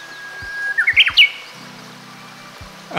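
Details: A Japanese bush warbler (Horornis diphone) in hilly country in Kita-Harima, Hyogo, Japan, sings its 'hō-hokekyo' song: one long, steady whistle, then a quick burst of rising, sharp notes, over a low mechanical hum.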